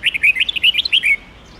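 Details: Red-whiskered bulbul singing a long 'forest voice' style phrase of 9 to 11 notes, used for training young birds; a rapid run of about ten bright warbled, slurred whistles lasting just over one second, then quiet background.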